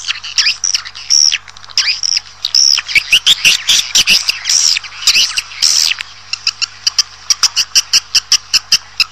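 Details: Swiftlet calls used to draw a colony into a building: buzzy, looping chirps in quick series, then a run of sharp dry clicks repeated about twice a second toward the end, over a steady low electrical hum.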